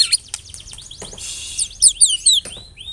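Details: White-rumped shama song fragment: scattered high sweeping whistles and short chirps over a soft background hiss, ending in a few clear descending whistled notes.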